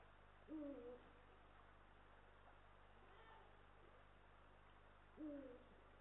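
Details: Nest-camera recording from Estonia, 18 March 2022, of a male and female Eurasian eagle-owl: two short, slightly descending, harmonic calls about four and a half seconds apart against a hissy, humming background.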